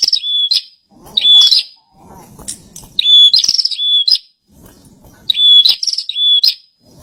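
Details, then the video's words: Bar-winged prinia singing actively: steady high whistled notes, each followed by a buzzy rasping burst, in three phrases separated by short pauses, with faint low murmuring in the gaps. "Pranjenak gacor"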